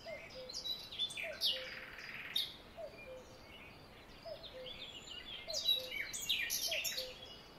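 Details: Great tit calls at a garden nest box in spring, while the parents brood and the first chicks hatch: high, thin chirps and squeaky notes in overlapping bursts, over a soft low note repeating about every second and a half.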